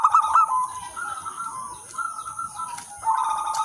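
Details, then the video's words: Local zebra dove song intended as lure and training material: soft trilled coos, a louder burst at the start, then quieter drawn-out phrases and a final stronger coo, over a faint constant whine. "perkutut lokal alam gacor manggung spesial pancingan dan masteran semua jenis perkutut"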